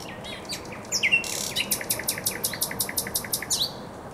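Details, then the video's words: Thrush nightingale in full song by the Żerań Canal, spring, 24 April 2022. A few whistled notes give way to a rhythmic series of about a dozen loud, hard repeated notes, evenly spaced and slightly accelerating. "Śpiew słowika rdzawego na Kanale Żerańskim"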